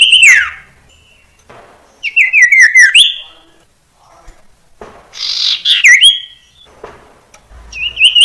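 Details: Common iora song used to help young birds learn to sing: descending whistled slurs, a stepped run of short notes, harsh buzzy bursts and a closing rising whistle, spaced by brief silences.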